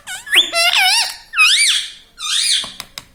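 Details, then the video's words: Pet talking parrot, said to chatter words such as "Mummy" and "Papa", giving three loud, rising-and-falling, harmonic, voice-like phrases, then a few soft clicks in a quiet small room. "Talking Parrot"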